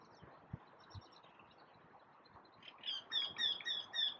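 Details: Eurasian wryneck singing at the top of a tree. A quiet, muffled stretch gives way to five loud, nasal, repeated 'kee' notes at about four per second, clear and high-pitched.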